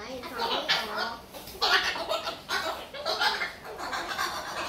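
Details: A pet Moluccan cockatoo, talkative and able to speak but untrained, chatters in speech-like phrases, a run of short, rough-toned bursts rising and falling in pitch, with chuckling sounds between them.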